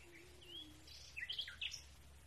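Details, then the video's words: A common nightingale gives a brief song fragment: a thin rising whistle, then a quick jumble of sharp, varied high notes over a low background hum. "common nightingale song"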